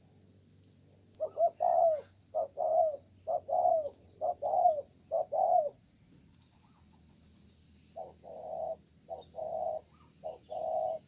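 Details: Wild-caught spotted dove calling strongly in a contest match beneath a communal stilt house, singing a slow, sparse-paced style: bursts of low, hollow coos with downward-bending notes, a pause, then more coos, over steady high insect chirps.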